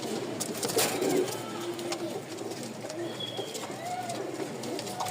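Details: A male Rajshahi Giribaz domestic pigeon, part of a black, white-beaked breeding pair at a market, gives low, throaty, rolling coos against a noisy background.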